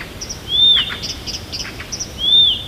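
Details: Morning near Tomsk: a Siberian songbird gives bright arching whistles that rise then fall, about two seconds apart, with soft high chirps and twitters in between.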